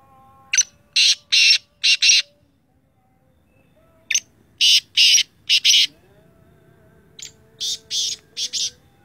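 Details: Black francolin, a Sindhi teetar, giving its loud harsh call: three phrases of five buzzy rasping notes, a short lead note then four broader grating bursts, each phrase about two seconds long with pauses between; faint tonal background hum.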